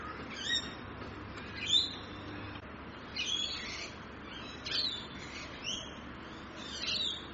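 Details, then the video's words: Rainbow lorikeets in Australia, a parrot species often seen in loud, fast-moving flocks: shrill, harsh screeching calls in short bursts roughly every second, some overlapping, over a steady low background hum. "Rainbow Lorikeets Australia | Bird Sounds"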